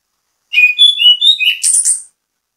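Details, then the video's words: Bait song of an orange-headed thrush singing vigorously to draw other thrushes into singing: several sweet, whistled notes in steps, rising then falling, closing with a rasping high burst. "ANIS KEMBANG GACOR MEMBUAT ANIS KEMBANG IKUT BUNYI, PANCINGAN ANIS KEMBANG"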